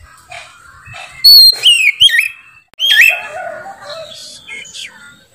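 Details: Caged white-rumped shama (kacer) singing loudly and ceaselessly: rich whistled phrases sweeping up and down, some sharp loud notes near 3 seconds, with softer chattering between bursts.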